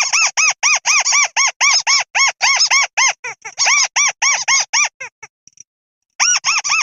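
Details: Crake lure call, with arched, squeaky harmonic notes repeated rapidly, about four per second, in steady runs broken by short gaps and a brief silence before the series resumes.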